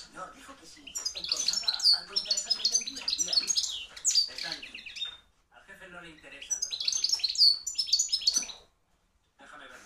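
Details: European goldfinch, a hand-reared 2013 bird singing loudly, a field-type junior: rapid jumbled twittering with high tinkling notes and buzzy trills in two long bursts separated by a pause.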